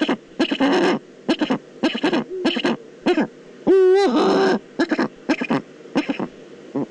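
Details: Eurasian eagle-owl, Eifel, 22 October 2014: a run of low, rough clucking notes broken by one longer, wavering, nasal tone near the middle, then more short gruff calls.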